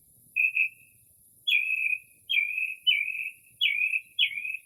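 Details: Northern mockingbird singing late at night near midnight in early spring outside a home, in rare quiet without urban noise, mimicking other birds: two short level whistles, then five slurred notes dropping in pitch, over a steady high insect hiss.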